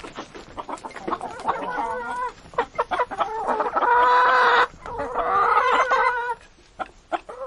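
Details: Chickens feeding, giving drawn-out, harmonic-rich moaning calls that hold steady for over a second each, mixed with short clucks and a steady patter of sharp pecking clicks.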